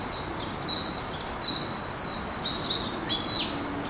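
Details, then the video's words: Sakhalin leaf warbler, heard but not seen, singing thin, very high whistled phrases in early morning on 25 April 2019, during spring migration, in urban green space at Hijiyama, Hiroshima. Other high chirping birds overlap against a quiet hiss. "エゾムシクイなど共演 春の渡り夏鳥の囀り"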